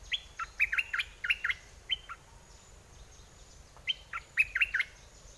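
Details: Red-whiskered bulbul kept as a decoy bird, performed in aggressive and wild mate-calling song styles: two bursts of short, liquid, bouncing whistled phrases, each note dipping and rising, in quick runs of five or six, with a quiet pause between bursts.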